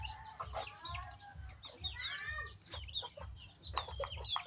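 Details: Chickens on a rural farm in the Philippines during mating season, with overlapping clucks and short rising calls over a steady low engine hum.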